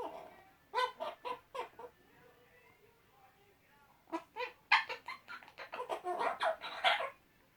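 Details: Two male Eclectus parrots kept as pets, chatting to each other with silly noises: bursts of harsh, nasal squawks in a quick series, then a quiet pause, then a denser run of louder, rasping calls.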